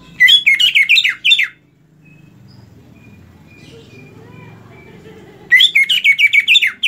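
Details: Greater green leafbird song used for tutoring other birds; two bursts of rapid, repeated warbling notes, about seven to eight per burst, separated by a quiet stretch with low background hum.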